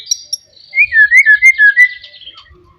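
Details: Loud rival-provoking song of a forest white-rumped shama: two short high notes, then a string of about six rhythmic slurred whistles, rolling and evenly spaced, fading into soft trailing notes.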